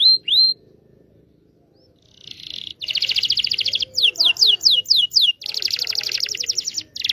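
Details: Local Indonesian canary song meant to coax silent canaries and teach juveniles: two curling whistles, a pause, then buzzy trills alternating with a short burst of quick descending notes.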